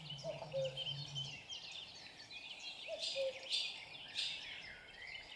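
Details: Common cuckoo in close up, two two-note cu-coo calls, the first over a low hum, while high chirping and trilling songbirds dominate the rest.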